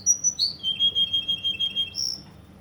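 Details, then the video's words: Russian canary from Kuwait singing: a high whistled note, then a long rapid trill of pulsed notes held on one pitch, ending with a brief higher whistle. "Russian canary from Kuwait"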